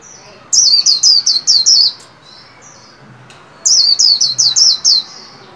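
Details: A kept white-eye being trained to sing, recorded around New Year 2021, gives two bursts of rapid, high, sweet twittering, each about six quick repeated notes over a second and a half, separated by a short pause.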